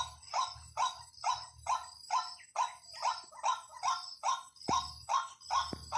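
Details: Repeated lure call of a white-breasted waterhen: a clean series of strong, harsh notes pulsing about twice per second with regular rhythm, with two sharp clicks near the end.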